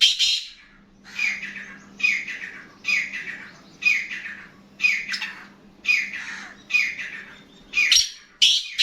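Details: Black francolin kept as a hobby bird, calling in a long series of harsh, grating, buzzy notes repeated roughly every 0.8 seconds, each note falling slightly, with a steady low electrical hum underneath.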